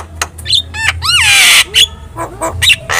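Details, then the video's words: Vigorous Javan myna song used to get other birds answering: clicks and upslurred whistles build into a long, loud, harsh screech, followed by short squeaky notes. A faint low hum sits in the background. "SUARA MASTERAN JALAK KEBO GACOR"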